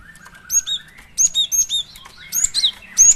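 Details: Cinereous tit, female, calling as a lure: clusters of high, clear chirped notes over a softer, lower sliding whistle in the background.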